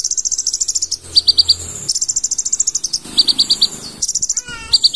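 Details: Energetic full-isian song of a purple-throated sunbird: fast, thin high trills broken by clusters of four or five sharp piercing notes, repeating every second or so, with a brief lower descending whistle near the end.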